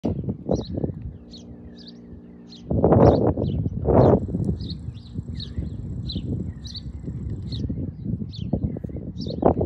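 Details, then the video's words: Long-billed curlew in San Diego, California, giving quick, high whistled notes about twice a second, with a few lower slurred whistles, over heavy rumbling wind and handling noise. "Long-billed curlew"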